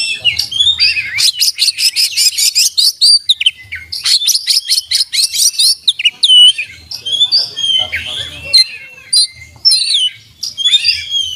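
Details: Oriental magpie-robin singing nonstop with open beak, mixing imitated fill-in phrases: rapid chip series, hooked whistles swooping up and down, and twittering runs over about eleven seconds.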